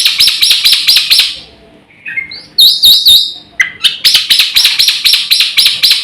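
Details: Black-winged myna singing energetically with a full, varied repertoire, used as a lure and tutor for training birds: rapid bursts of harsh, high chattering notes, a pause with a few short whistles, then fast repeated chatter.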